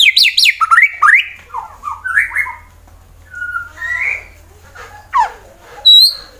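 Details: White-rumped shama, a fighter-type bird from Wonosobo, Central Java, Indonesia, singing to provoke rivals into song: varied whistled phrases, rising and falling notes with pauses between bursts.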